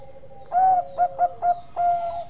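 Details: Perkutut Bangkok, a zebra dove, singing: a long opening coo, three short clipped coos in quick succession, then a final drawn-out note, over a faint continuous tone.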